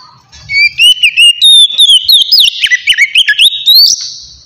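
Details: White-rumped shama singing a relaxed, open song for luring wild shamas; a continuous run of bright whistled notes with quick upward and downward slides, climbing at the end.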